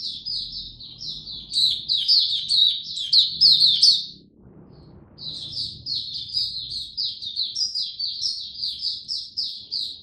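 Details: Oriental white-eye kept as a caged song bird during cold rainy weather, giving rapid high twittering phrases, a brief pause midway, then resuming the fast chatter over a faint low rumble.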